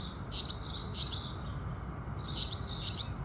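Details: House sparrows at dawn, with the rising sun: two pairs of loud, harsh, high chirps separated by a short pause, over faint low hum.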